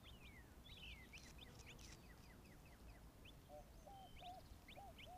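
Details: Eleven quail chicks chirp while drinking at a pond on an Arizona desert afternoon: many thin, high peeping chirps, some falling in pitch, with lower soft notes, other birds nearby and a low background rumble.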